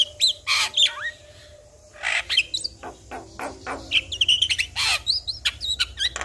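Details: Javan myna singing as a lure for a quiet caged myna: varied loud whistles, slurred upsweeps and downsweeps, and rasping bursts, delivered rapidly with brief pauses.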